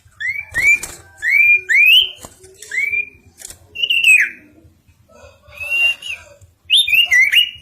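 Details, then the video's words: Bar-winged prinia singing steadily: clear whistled notes that slur upward, given singly or in pairs, with pauses between them and a final cluster of warbled, twisting notes. Faint clicks and rustles are heard in the background. "Burung SIRTU/CIPOW/CIPOH gacor"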